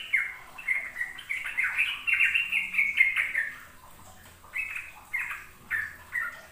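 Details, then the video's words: Sooty-headed bulbul giving a 'ropel' song meant for juvenile birds to copy. A long, bubbly run of fluting notes is followed by a quieter gap, then short separated whistled phrases. "Pancingan trucuk agar trucukan BAHAN PAUD ikut belajar ropel"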